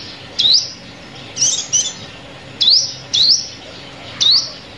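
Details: A sunbird's call, played as a trapping lure: six bright, upslurred chirps, some in quick pairs, separated by short pauses, with a soft constant hiss underneath.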